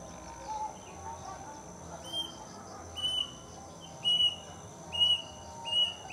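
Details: Plaintive cuckoo calling in the afternoon from a mango tree near a house: a faint series of short, thin whistled notes repeated about once a second, over a soft steady background hum.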